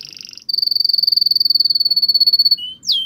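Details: Male canary in strong song meant to push a female into mating posture: a high bright rolling trill held steadily for two seconds, ending with a short lower note and a falling whistle.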